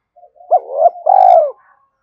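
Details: One spotted dove phrase used to excite decoy birds: soft lead-in notes, two rising hoots, then a long, slightly falling mellow coo.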